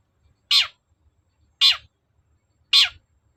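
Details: Persistent long-tailed shrike used as a lure sound to make other shrikes reply and sing: three loud, scratchy, downward-trailing rasps spaced roughly a second apart, with near silence between them.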